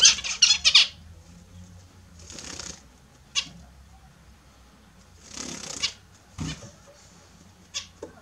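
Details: A quick cluster of bright nasal honks opens this recording of pet Australian zebra finches bathing in the morning. Softer hissy splashing bursts and a few isolated clicks follow.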